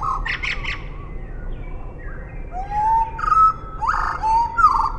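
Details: Eurasian blackbird song slowed to half speed: a brief high twittering burst, then low fluting whistled phrases with slurred rising and falling notes, a loud warbled flourish near the end, over a steady low rumble.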